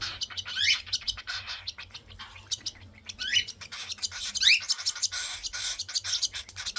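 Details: Young cockatiels at feeding time give harsh, raspy squawks with quick upward swoops, in uneven bursts close together over a steady hiss of chatter.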